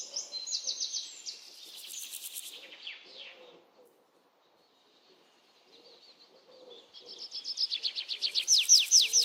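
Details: Several birds chirping outdoors: high trilled phrases at first, a quiet pause with faint lower notes, then a loud run of rapid descending chirps building at the end.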